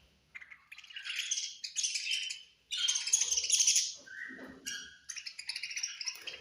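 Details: Feeding-time chatter from budgies: scratchy, twittering bursts of high chirps, one short clear whistled note midway, then renewed rapid warbling.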